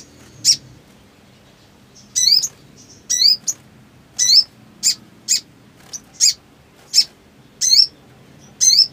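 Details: Black sunbird in breeding condition: bright high ticks interleaved with squeaky, down-curving double notes, roughly one per second, steady and persistent.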